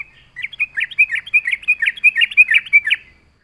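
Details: Lure song of a Yellow-vented Bulbul in full voice, meant to draw other birds in. A quick run of bubbling, chortled notes lasts nearly three seconds, evenly spaced and bright, with no other sounds.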